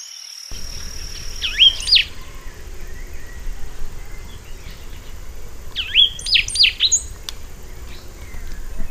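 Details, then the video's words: Rusty sparrow giving two bouts of swooping, slurred high notes about four seconds apart, set against a continuous insect drone and steady broadband background noise. "O canto do Tico Tico avermelhado"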